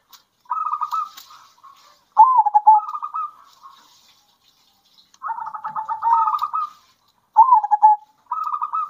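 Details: Zebra dove song alternating wild and farm-bred local birds, to raise other doves' excitement and breeding drive: rapid trilled coo runs and bubbling phrases, with faint high ticks behind.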